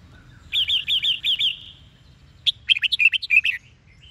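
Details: Red-whiskered bulbul of the Sông Kôn song style with double twisted notes, used to train and stir up a bird's morning singing: a fast run of about seven clear whistled notes near the same pitch, a pause, then a burst of varied warbled notes.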